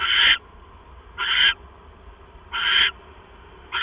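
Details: Owl at night, 10:52 PM on 6 September 2015, as the male brings a mouse to the female: harsh, hissing screeches about a third of a second long, repeated roughly every 1.2 seconds over a quiet, low background hum.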